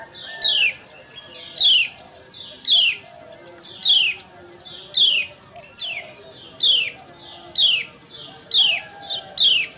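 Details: Lemon-bellied white-eye female chirps, a morning lure recording meant to stir males into song: bright descending chirps repeated about once a second, each sliding down sharply, with faint background hum.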